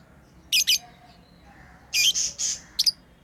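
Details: Pet lovebirds chirping during play: a sharp double screech, a pause, then a run of three buzzy drawn-out squawks and a final quick double chirp.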